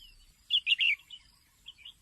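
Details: A female red-whiskered bulbul gives a short call meant to excite males: three quick bright chirps in a burst, then two softer trailing notes against faint background noise.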